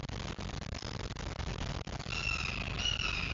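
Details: Fledgling red-shouldered hawks that have just left the nest: after two seconds of rustling background noise come two drawn-out, harmonic, slightly descending squealing calls.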